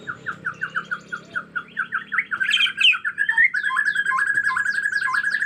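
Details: Agitated Bornean white-rumped shama, natural forest setting; evenly spaced whistled notes repeated rapidly, building into harsh squawky bursts and then a fast continuous chatter of mixed notes with high sweeping calls.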